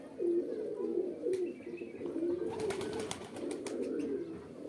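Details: Pigeons giving mating calls: a continuous, overlapping low cooing chorus from several birds, with soft rolling coos throughout and a few sharp clicks and taps near the middle.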